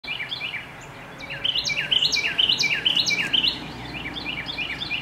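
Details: Very vocal Carolina wren singing in the late afternoon: rapid, rolling two-part whistled phrases repeated about twice a second, soft at first, then loud and ringing in the middle, fading slightly toward the end.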